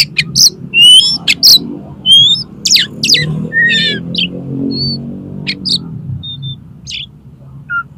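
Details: Oriental magpie-robin, konslet-style song aimed at making another magpie-robin fan its tail: quick varied chirps and slurred whistles, loud at first, then sparser, softer single notes over a low murmur.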